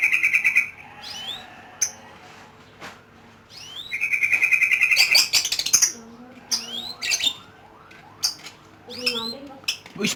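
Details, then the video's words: Lovebird in ngekek song: loud, rapid, rattling trills, each lasting one to two seconds, with sharp rising and falling chirps between them. Other chirps and faint human voices sound in the background. "LOVE BIRD || ngekek 8 kilo meter"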